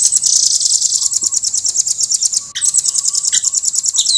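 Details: Velvet-fronted nuthatch (rambatan) giving a long, fast, continuous trill of very high, rapidly repeated notes. There is a brief break midway, with a faint steady low tone in the background.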